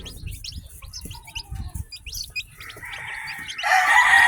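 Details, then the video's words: Newly hatched chicks on a farm, peeping in fast, high, downward-slurred chirps throughout; a loud, harsh, drawn-out call rises over them in the final two seconds. "Baby Chicks Chirping Sounds || 10-Batch Newly Hatched Chicks"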